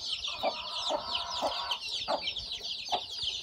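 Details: Hen-hatched newborn chicks on a farm produce a thick wash of high, twittering peeps. Regular low clucking notes sound about every half second beneath.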